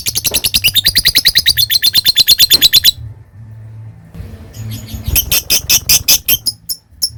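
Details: Lovebird in long ngekek, the chatter that follows typing-like notes: three seconds of rapid, harsh, high squeaks in a steady stream, a short silence, then a looser series of sharp chirps.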